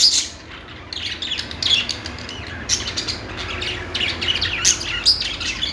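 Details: Steady budgie warble: continuous fine chirping and ticking with occasional piercing high squeaks standing out, soft low hum throughout.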